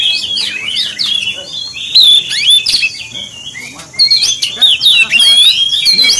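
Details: Oriental magpie-robin song for provoking other magpie-robins, bursts of bright whistled slurs and quick chirps separated by short gaps, energetic and richly varied.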